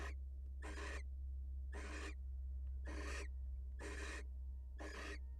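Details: Female wild barn owl leaving the nest to greet her mate gives harsh, noisy screeching hisses, about one per second, six bursts over a steady droning hum.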